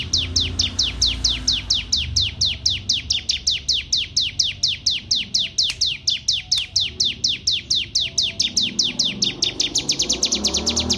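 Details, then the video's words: Singing canary, Wonosobo, Indonesia: a long steady series of high, sharply falling notes, roughly four per second for eleven seconds, fairly even in loudness, with soft low background hum. "CETAK BAHAN DARI NOL FSL CANARY WONOSOBO"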